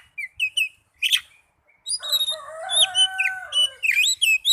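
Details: Oriental magpie-robin lure song meant to spur caged birds to sing. Short whistled notes and a loud chirp give way to a dense, harsh, buzzy phrase mixed with bright whistles.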